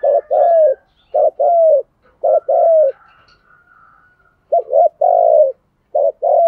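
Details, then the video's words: Decoy spotted dove cooing to lure wild doves: low, hollow coos given in quick groups of two or three, a long pause mid-way, then further paired coos, clear and close with a faint soft background tone. "chim cu mồi thúc gù"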